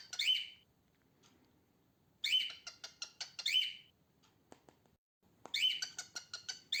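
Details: Pet female cockatiel, a bird said to rarely whistle, producing loud grating squawks in pairs followed by bursts of rapid clicky chirps, with short silences between.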